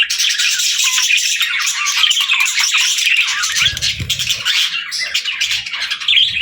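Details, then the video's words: Lively parakeet chatter: an unbroken wash of high chirps, squeaks and harsh notes from birds playing and singing, with a low knock in the middle. "Parakeets Playing, Singing & Talking | Relaxing Chirping Sounds"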